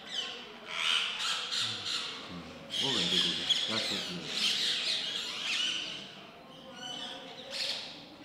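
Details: Baby rose-ringed parakeet being fed by a male: harsh, raspy squawking in rapid pulsed bursts, loud and continuous with brief pauses, plus a few low knocking sounds.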